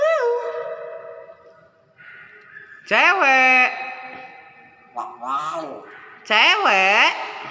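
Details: Hill myna, a kept talking bird, mimicking words and an ambulance: loud harmonic wailing phrases with sliding, wavering tones in bursts around three, five and six seconds, after a faint opening note, with a person coaxing it nearby.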